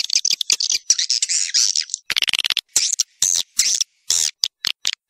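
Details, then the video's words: Swiftlet lure call, tested in several swiftlet houses to draw swiftlets in and get them to roost: bursts of high, buzzy twittering and fast dry chirps, broken by short gaps, then choppy separate bursts. "Suara walet super max"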